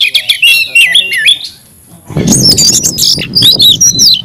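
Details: Captive Oriental magpie-robin, kacer, pouring out an aggressive fighting song: quick warbling whistles sliding up and down, a short pause, then loud buzzy high phrases over a rough, noisy background.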